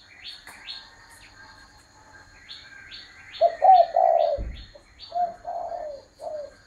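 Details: Spotted dove giving a run of soft, low coos in two-to-three-note phrases with a longer sliding final note. The coos follow a series of quick, high, downward-swept chirps from another bird, and there is one dull thump.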